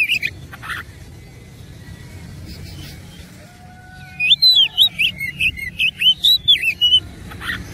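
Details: Oriental magpie-robin in fighting mode, its richly varied song arriving after a few seconds of noisy hiss: a rapid run of high, sharp whistled and slurred notes, about two per second, over steady background noise.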